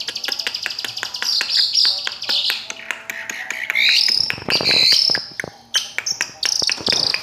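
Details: Long-tailed shrike in a rich, varied song of high whistles, trills and chattering phrases, with many sharp clicks tapping throughout.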